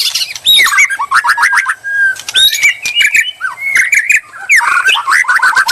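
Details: White-rumped shama song played as bait to provoke a reply: loud, varied phrases of rising and falling whistles, sharp chips and scratchy bursts, delivered in quick succession with brief pauses.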